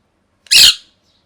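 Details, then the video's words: Pet parrot in molt gives a single loud, raspy squawk lasting a fraction of a second, with silence around it. "Parrot Chirping Sounds | Natural Parrot Sounds | Parrot Calling Sounds"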